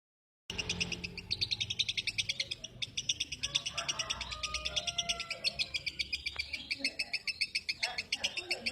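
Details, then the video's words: Lovebird giving a rapid, steady string of sharp high chirps, about six per second, running continuously after a brief silence at the start, with some faint low background noise beneath. "Love bird"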